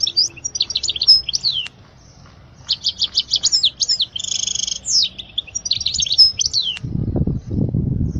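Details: Goldfinch song meant for teaching chicks: lively twittering phrases mixed with buzzy trills and sweeping slurred notes, broken by a short silence, ending over loud low thumping noises.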